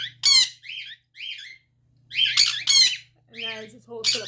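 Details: Pet cockatiels (Nymphicus hollandicus), just come out to join the owner and a sun conure, give harsh, high, grating squawks in short bursts over a low electrical hum.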